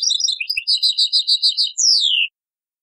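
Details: European goldfinch, taqsrayn song, copied from an old cassette: a short run of tinkling notes, then a rapidly repeated pulsed trill, ending in a loud down-slurred whistle.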